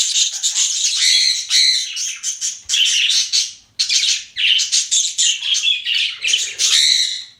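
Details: Domestic budgies chatter nonstop, with rapid scratchy warbles and clipped chirps in quick bursts, a couple of brief breaks between phrases.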